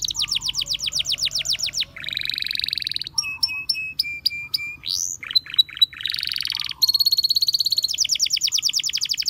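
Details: Singing canary moving through varied tours: a rapid high trill, a lower buzzy roll, spaced sharp chips, quick rising slurs, then another fast ringing trill.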